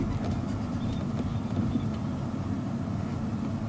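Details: Steady low engine rumble of a moving vehicle during a sunset drive in Africa, with no clear animal calls above the droning noise.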